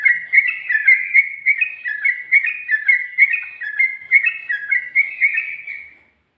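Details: Rapid 'ropel' song of a sooty-headed bulbul from 2020: an unbroken six-second stream of clear, slurred whistles rising and falling in quick succession, ending abruptly, with no other sounds.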